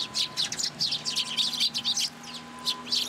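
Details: Young sparrow come to a plum tree at a Tenmangu shrine for food, June 15, 2022. Loud, rapid high chirping runs almost continuously, then thins to a few notes before a final burst.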